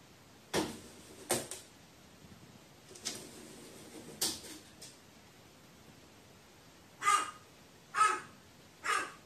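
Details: Crow calling to itself in apparent fear, recorded 15 May 2018; two harsh caws open the sequence, softer muffled notes follow, and three clear, rasping caws close it, each under a second long.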